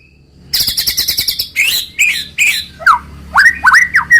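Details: White-rumped shama, a caged bird, sings a rapid harsh rattle followed by scratchy notes and then a run of clear looping whistles that rise and fall.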